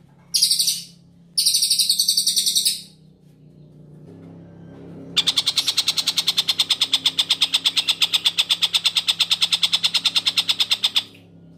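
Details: Long-tailed shrike singing on a clear recording used to tutor magpie-robins: two short high, hissing buzzes, a quiet stretch, then a six-second train of rapid, rasping pulses.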